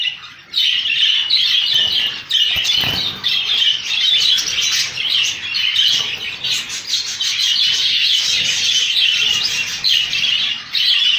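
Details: Rainbow budgies in a colony: a dense, continuous chorus of high chirps, squawks and warbles, with brief dips in loudness and a few soft thuds near the start.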